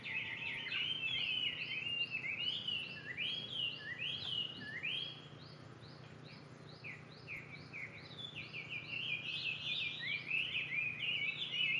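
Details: Unidentified bird giving a rapid, uneven series of high chirps and short downslurred notes, some overlapping as if several birds call, a quieter pause mid-clip, over constant low background hum.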